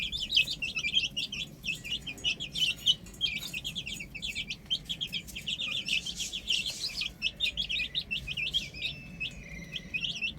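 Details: Young chickens on a roof chirp continuously, a chorus of thin, high, slurred peeps crowding one another throughout.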